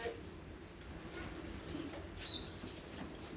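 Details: Kolibri ninja, the olive-backed sunbird, giving nembak sejalur song: a couple of thin high notes, then two sharp, very high rapid trills, the last one long and rattling, over faint background hiss.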